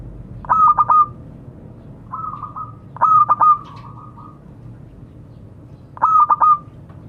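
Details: A local zebra dove calling to its companions gives three stuttering cooing phrases about three seconds apart, each ending in a soft roll. One quieter trill falls between the first two.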